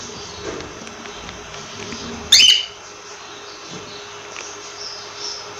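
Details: A single high, harsh cockatiel chirp rises out of quiet room tone, with faint rustles before it and a short click at the end.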